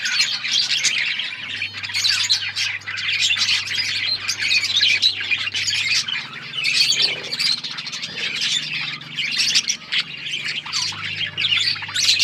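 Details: Long run of budgerigar chatter, continuous high chirping and warbling from several birds with scattered squawks, over a faint low hum.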